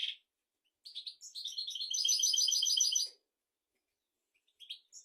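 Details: European goldfinch singing to train goldfinches and canaries: a brief note, a pause, then twittering that swells into a loud, fast, rattling trill for about two seconds, ending abruptly, followed by soft scattered notes.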